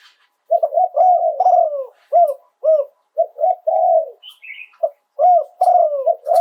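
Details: Spotted dove singing live in the Thai 'โยน 2 กุก' cooing style. Low, hollow coos come in arched, rolling phrases with short gaps between them. A brief higher chirp from another bird breaks in midway.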